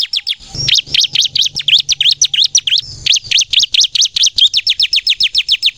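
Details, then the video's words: Chattering 'nembak' song of a bar-winged prinia of the ciblek kristal type: a dense, fast stream of piercing high chirps, each sweeping down and back up, nearly thirty in six seconds. "suara burung ciblek kristal gacor nembak"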